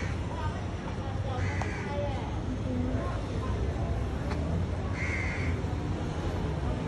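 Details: A couple of hoarse caws from crows in a tree, the clearest a drawn-out call near the end, set against constant low traffic roar and faint voices.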